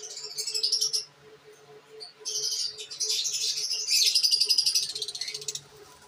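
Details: Pet lovebirds of different kinds, shown with their babies: dense, shrill, high-pitched chattering and chirping in rapid bursts, with short pauses, over a faint steady low hum.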